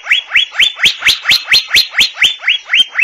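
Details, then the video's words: Asian fairy-bluebird repeating a sharp, upswept whistle about four times a second, a dozen even notes with a clicky onset and a bright level ending. "Tiếng chim Thanh Lam(Chim Lam) | The sound of the bird Irena puella"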